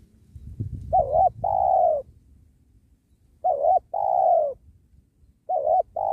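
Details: Spotted dove cooing beside a sacred tree where wild doves are trapped; after some low rustling and knocking, phrases of a quick double note followed by a long, smooth descending coo repeat about every two seconds.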